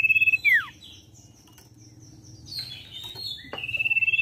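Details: Common iora song used as a lure to get a wild-caught bird singing quickly: a fast rattling trill on one high pitch, then a sharp downward-sliding whistle, quiet chirps, and another trill at the end.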